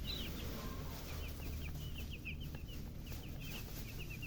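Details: A brood of young chicks chirping, quick shrill downward peeps repeated almost three per second, with steady low-frequency background noise beneath.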